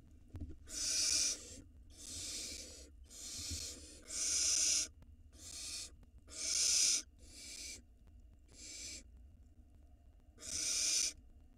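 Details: Nestling barn owl reaching the nest entrance, Israel, 2022, recorded on a live 4K camera: a series of eight rough, breathy hisses, each under a second, repeated irregularly every one to two seconds with quiet gaps.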